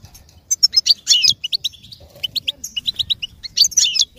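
American goldfinch singing a rapid, jumbled run of high twittering notes and short chirps, with bright sweet phrases tumbling over one another.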